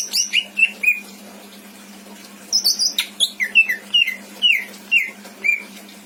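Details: Greater green leafbird kept in a cage in Indramayu, pouring out a mimicking song of clear, curving whistled notes, a brief buzzy burst, then a rhythmic series of slurred chirps; faint hum throughout.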